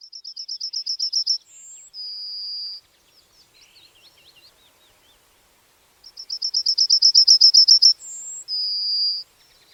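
Yellowhammer singing twice: a quick run of about a dozen high, thin notes growing louder, then a brief higher note and a long drawn-out final note.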